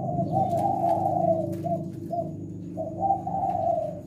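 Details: Indonesian 'Leopard' spotted dove giving its 'kuk 6' song: soft, rolling coos in a stuttering run of short and drawn-out notes, almost continuous, with a steady low rumble behind.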